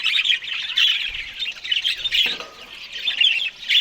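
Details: Morning budgerigars feeding on green food give a busy overlapping twitter of scratchy chirps and warbles, one dip at two and a half seconds, then the chatter swells again.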